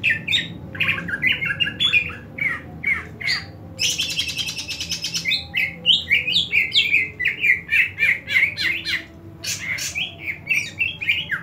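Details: Greater green leafbird pouring out a long, varied chattering song of rapid whistles, squeaky chips and a dense buzzy trill near the start, the phrases tumbling in quick, uneven rhythm.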